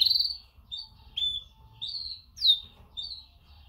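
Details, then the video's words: Female canary calling to males in a mating call: short high chirps and downslurred tweets around every half second, some rising then falling, with faint low rumble underneath. "Best female canary mating call - female calls males - female sounds chirps"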